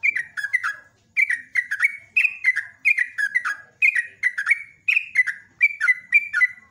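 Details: Trucuk, the yellow-vented bulbul, giving long ropelan morning song meant to draw in other birds: liquid, chattering groups of falling notes, phrase after phrase with barely a pause, clean and uncluttered.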